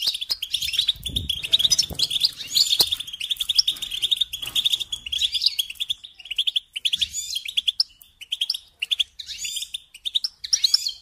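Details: European goldfinch song for training young birds: a long flowing ramble of tinkling chirps, trills and twanging buzzy notes, nearly continuous, with faint low background thuds.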